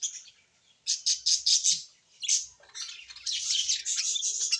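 A parrot gives bursts of high, scratchy chirps and squeaky chatter.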